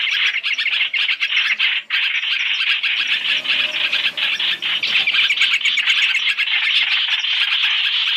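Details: Three-in-one trapping lure of Chinese hwamei calls: a continuous, crowded stream of sharp chirps and chatter that barely pauses over the whole stretch.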